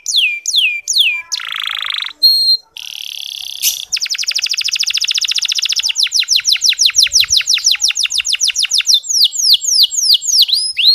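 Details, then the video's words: Canary ngeriwik song meant to stimulate male canaries: varied phrases of quick falling chirps, a buzzy rattle and short broken notes, then a long fast trill of crisp downswept notes, closing with rising-falling chirps. "Suara Kenari Ngeriwik Halus"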